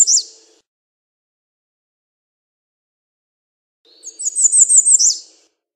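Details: American redstart song: a high, thin series of rapid notes near the top of hearing, one short burst at the start then a run of about six quick slurred notes after a long silence.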